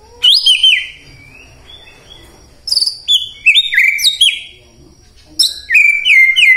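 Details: Morning White-rumped shama lure song: high, piercing whistled phrases sliding downward, in three separate bursts with short pauses and faint low background hum.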